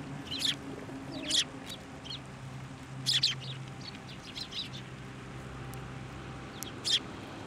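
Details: Sparrows at a Tenmangu shrine in January coming to a hand for food, giving a few loud, sharp chirps at intervals over a low background hum, with faint chirping between.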